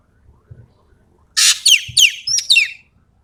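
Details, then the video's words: Ekek keling from Sumatra, full tembakan song. After soft low knocks, a single phrase bursts in: a dense harsh rasp, then several fast falling whistles and a high doubled note, lasting about one and a half seconds. "BURUNG EKEK KELING SUMATERA GACOR FULL MATERI TEMBAKAN"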